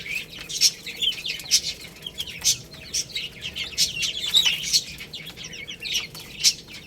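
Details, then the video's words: Chicks at their rice give a steady background of soft high twitters punctuated by louder sharp chirps roughly every second. "Beautiful Chicks Chirping Sounds"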